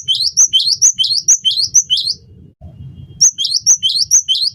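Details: Gelatik batu (cinereous tit) song for luring and tutoring birds: a string of about eight crisp high-then-low whistled pairs, a pause filled with low background murmur, then another run of five similar phrases.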